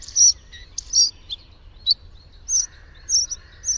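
A Bluethroat sings short, high, chirping phrases roughly every second, with a faint lower buzzy note between them over a soft background rumble.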